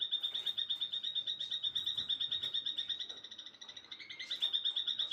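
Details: Bird singing in the afternoon: a continuous quick trill of high pulsed notes, around three per second, over a light hiss of background noise.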